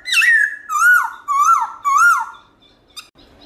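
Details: Black-throated laughingthrush with a loud, clear wild-style song, played for caged birds: four ringing whistled phrases, each rising then dropping, followed by quiet and a faint tick.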